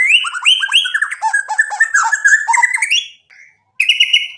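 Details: Vocal white-rumped shama used as a lure: a rich tumble of quick whistled slurs and chattering notes at varied pitches, a short pause, then a further high burst.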